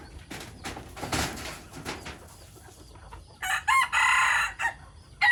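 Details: Chicken crowing in the morning; soft rustling and scattered knocks come first, then a single strong, raspy crow bursts out near the end, followed by another brief loud note.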